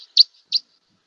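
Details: Red Crossbill, a northeastern North American recording from the 1950s (possibly type 4), giving two sharp, high 'kip' flight calls about a third of a second apart, with fainter notes between.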